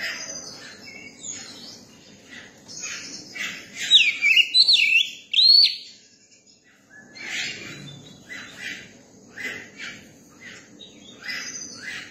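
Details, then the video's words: Young, people-tame Oriental magpie-robin delivering a mix of rapid scratchy chatter and a few loud pure whistled glides, then a brief silence and more chips and twitters. "tiếng chim chòe than bổi hót và dạng người"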